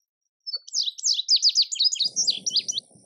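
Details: High, sharp, clear notes from a male indigo bunting run quickly in pairs for over two seconds, fading to separate chips, with a low rustling noise during the second half.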